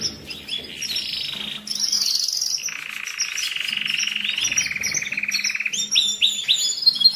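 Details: Domestic canary song meant to excite males, prepare females for mating and teach young birds, recorded for the molt and rest phase. High whistles lead into a long rapid rolled trill that sinks slightly, ending in quick chirps.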